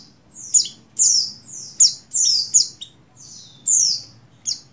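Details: Female buxtoni Oriental white-eye in breeding condition summoning a male: loud, sharp, squeaky descending notes in uneven bursts, some doubled, one longer sliding phrase near the end, against faint low rumble.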